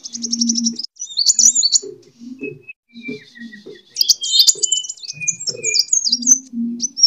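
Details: Sunbird fighting song (kolibri tarung), used as a lure for training birds: high, thin twittering trills and quick looping whistles, broken by short pauses, with a low steady hum below.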